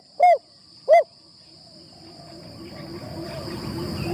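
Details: Spotted dove kept as a trapping decoy, first session in the trapping tent: two brief, deep, hollow coos about two-thirds of a second apart, then rustling and a constant high insect hum.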